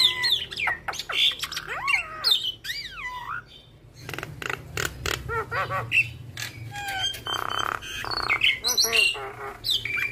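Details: Javan myna (jalak kebo) in a long, varied mimicry-laden song intended to prompt other mynas to sing: sweeping whistles, chattering clicks, arched chirps and grating buzzy bursts in restless succession.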